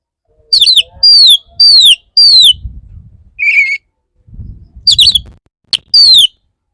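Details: Courting male Oriental magpie-robin singing to a female: bright, down-slurred whistles repeated about every half second, with one lower buzzy note mid-sequence and soft low rustling between phrases.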